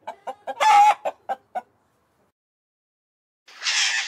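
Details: Farm chicken making a quick series of short clucks around one loud squawk, followed after a pause by a harsh, noisy rasp.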